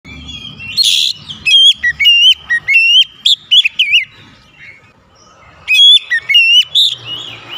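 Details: Oriental magpie-robin song used as a lure to provoke a rival into aggressive singing: loud, clear whistled phrases with sharp upsweeps and wavering notes, delivered in bursts and separated by a quiet pause, with faint low rumble beneath.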